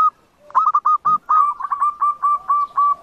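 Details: Zebra dove song played to lure birds for trapping: a rapid, stuttering series of short staccato coos at a steady pitch, running into evenly spaced repeated notes.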